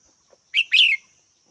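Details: A single red-whiskered bulbul call: a short clipped note followed by a longer, bright, slightly descending chirp, over a thin steady high hum.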